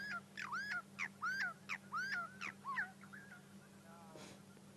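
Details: Burchell's starling at Sabi Sand, South Africa, at sunrise on 28 May 2016, noisily chirping away while picking grass seeds off the ground: a quick run of slurred, nasal, whining notes that bend up and down.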